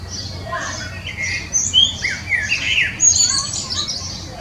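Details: Common blackbird singing: a run of rich warbled and fluted phrases, some swooping down and some rising, broken by brief high twittery notes, with a faint low hum underneath.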